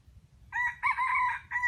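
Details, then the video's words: Trapped wild junglefowl used as bait, giving a short crow in three loud harmonic bursts, the middle one longest and slightly wavering, over a quiet background. "Trap wild chickens for bait and the sound of their crowing is so captivating to listen to and watch."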